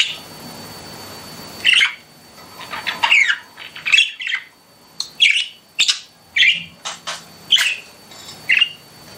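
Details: Pet budgerigars indoors giving a series of short, bright chirps roughly every half second to second, each a sharp rising-falling note, with brief quiet gaps between calls.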